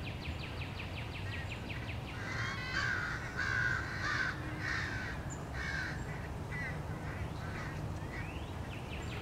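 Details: Wild American crows in a crowd chasing a bald eagle at its nest, 30 March 2016. Rapid caws build into a loud cluster midway, then thin out into scattered calls over low rumbling noise.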